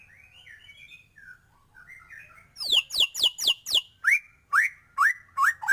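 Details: Spirited white-rumped shama singing with many fill phrases. Soft, quiet warbles open, followed by a loud series of sharp down-slurred notes. Regular, clear rising whistles then repeat about every half second.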